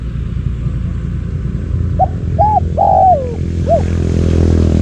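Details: Decoy spotted dove luring wild doves. A single coo phrase of short notes and one long downward note, partly softened by a constant low rumble.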